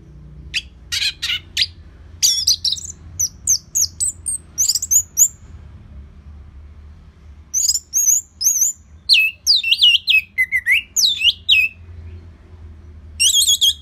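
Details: Orange-headed thrush from Singaraja, Bali, singing for bird training; long, varied passages of high clear notes, sharp chips and falling and rising whistles, broken by a short pause, with faint low background hum.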